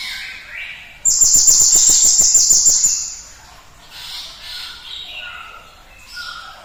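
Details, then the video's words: Cinereous tit, a caged songbird recording used to provoke other birds into singing: a loud, rapid high trill of sharp repeated notes for about two seconds, followed by softer, lower whistled phrases. "PANCINGAN TER-SUPER GLATIK BATU GACORNYA ISTIMEWA"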